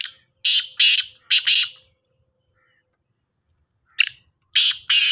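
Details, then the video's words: Competing black francolins, locally kala teetar: a rapid series of four harsh, crackling notes, a long silence, then another bird answers with three grating syllables. "2 تیتروں کا بولائی کا مقابلہ | kala Sindhi Teetar ki Awaz | Black Francolin Voice"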